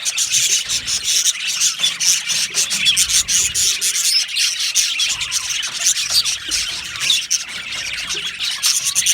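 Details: Aviary budgies chatter continuously, a thick layer of high chirps, scratchy warbles and short squeaks from many birds at once, with some rustling in the background.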